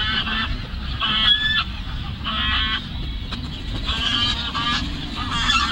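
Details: Honking geese at Lagoa Maior, Três Lagoas, Brazil: harsh, nasal, repeated calls in irregular bursts, some overlapping, set against a constant low-pitched background rumble.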